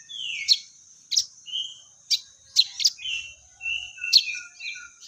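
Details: Crested jay, locally sogon, calling with fighting-sparrow material: sharp, sudden chirps roughly every half second to second, interspersed with short whistled notes at varied pitches, all against a constant thin high hiss.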